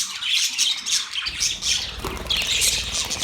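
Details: Short burst of budgie chirping, shrill warbled squawks repeated closely, with some low background rumble starting partway through.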